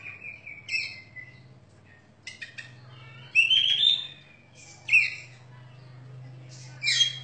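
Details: Oriental magpie-robin, a caged competition bird praised for crystal vocals and sharp fill-ins, gives spaced phrases of high whistles, quick rattling clicks and a bright upward-slurred note. A steady low hum runs underneath.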